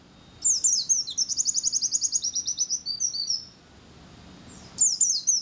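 A white-eye sings a high, sweet phrase: quick sliding notes into a fast run of rapid chips, then a short pause and another burst. The background is quiet.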